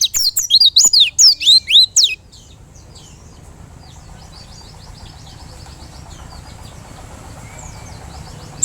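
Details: White-eye giving a rapid burst of high, thin, sweeping whistled notes for about two seconds, then falling quiet over soft background hiss with faint distant chirps.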